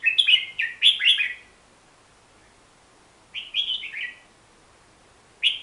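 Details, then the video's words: Hook-billed bulbul song: a quick burst of four or five sliding, slurred whistled notes, a pause of about two seconds, then a similar falling phrase and one more note at the end. The background is quiet. "Suara Kicauan Si Merbah Jambul"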